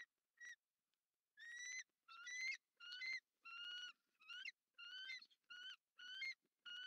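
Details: Bald eagle at the nest at night during egg incubation, on 25 November 2023, in southwest Florida, as the male arrives to take over. It gives a series of clear, high, whistled piping notes, each about half a second long, repeated in quick succession.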